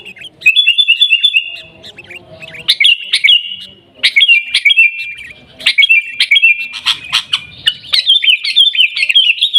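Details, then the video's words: Sooty-headed bulbul from Aceh's Pidie district singing in the 'Garuda' style: clear whistled phrases grow into dense, quick warbling punctuated by sharp clicks. "Gaya Garuda Burung Kutilang"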